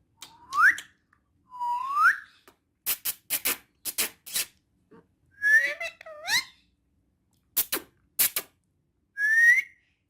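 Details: Urdu- and Hindi-speaking female ringneck parrot giving spaced rising whistles with clipped clicks between them, a two-note warbled phrase midway, and one final upslurred whistle.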